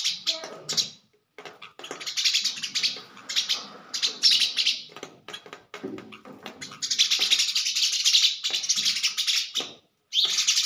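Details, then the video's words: Sparrow in the Thar desert, a female fighting her own reflection in a mirror, gives bursts of harsh, high chirps and chatter broken by short pauses, with scuffling and tapping sounds between them. "sparrow fighting herself in mirror/Sparrow sound"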